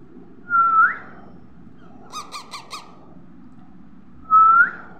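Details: Baby parrot calling: two whistled notes with a rising tail about four seconds apart, and between them a quick run of four harsher, buzzy squawks.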